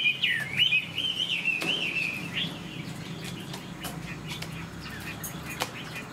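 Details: Caged Chinese hwamei with fanned tail opens with about two seconds of wavering whistled song, then falls mostly quiet apart from scattered clicks and faint background noise.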